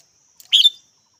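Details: Red-whiskered bulbul giving one short, bright chirping call with a quick double-peaked burst of high notes, then silence.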